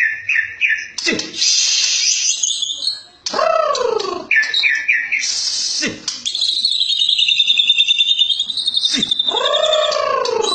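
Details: White-rumped shama producing short whistled triplets, harsh descending rasps and a sustained high trilling buzz, the phrases separated by brief sharp clicks.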